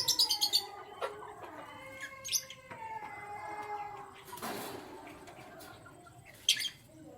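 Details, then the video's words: Canaries in the morning: a quick burst of high, rapid chirps, then drawn-out steady whistled tones, a broad rushing noise midway, and one more sharp high chirp near the end. "Canary Chirping Sounds"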